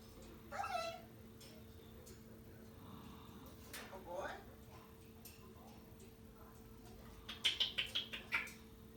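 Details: A pet African grey parrot mimics coughing with harsh, husky cough-like bursts, then a quick run of five short high chirps, over a steady low electrical hum.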